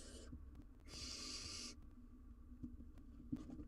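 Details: Wild barn owl owlet filmed on a live cam while tackling a huge jird. A clipped hiss opens, then a longer, harsh, airy hiss of about three-quarters of a second follows. Light taps sound over a low hum.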